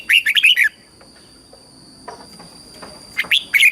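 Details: Red-whiskered bulbul in a Thai training recording: a quick run of bright warbled notes at the start, then a quiet gap with faint sounds, then sharp rising notes at the end.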